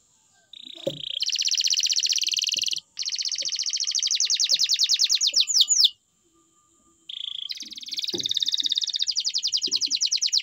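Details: Canary singing loudly, a captive bird: a short whistled note, then long fast buzzing trills at high pitch, broken by short pauses and followed by a further rapid trill.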